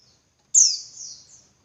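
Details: A single call from a female Javan white-eye, used to lure males into more intense singing: a bright, very high sweeping note that drops quickly, then fades into a long thin trailing whistle.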